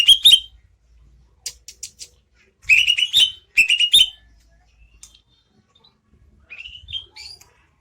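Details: Greater green leafbird sings in bursts of rapid upslurred chirps, three phrases separated by silent pauses, with a softer rising phrase near the end.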